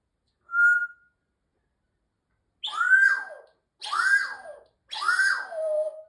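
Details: African grey parrot (Psittacus erithacus) indoors gives a short pure whistle, then three loud rising-and-falling whistled swoops about a second apart.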